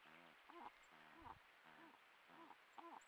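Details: Malleefowl pair vocalising to each other at their nest on 7 September, when the first egg of the 2024-25 season was laid; low, arched, hooting calls repeat about every 0.6 seconds, with brief higher overtones over a quiet background.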